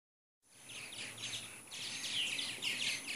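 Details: A flock of purple martins chatters with many overlapping high, gurgling chirps over a thin hiss. They were recorded in Katy, Texas, in 2014 in the morning, about 75 birds due to leave for Brazil within a week or two.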